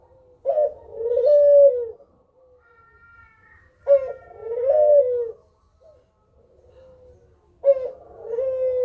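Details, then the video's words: Kugeruk call for luring other birds to answer: three low cooing phrases, each a short harsh start leading into a sustained, slightly falling coo, with quiet gaps between. "Suara Burung Kugeruk Cocok Buat Pancingan"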